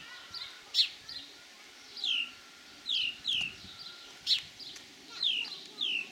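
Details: Mating house sparrows at Kotthausen farm in Wuppertal Beyenburg, 20 June 2021, giving sharp, descending chirps, sometimes in quick pairs, spaced unevenly over a quiet rural background.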